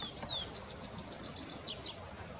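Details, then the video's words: Tree Pipit singing: a high, fast series of thin descending strokes repeated in quick succession, with a brief whistled slur at the start and a soft background hiss. "Baumpieper I Anthus Trivialis I Tree Pipit"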